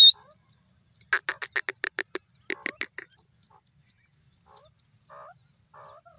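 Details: Grey francolin calling: a harsh, rasping run of about nine rapid pulses, then a shorter group of four, followed by a few faint squeaky notes.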